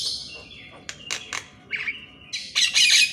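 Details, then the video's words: Morning song of a Javan myna, played to coax quiet mynas into singing: rough hissing and grating notes mixed with clicks, building to a loud, noisy, buzzy burst at the end. "MASTERAN BURUNG JALAK KEBO DI PAGI HARI"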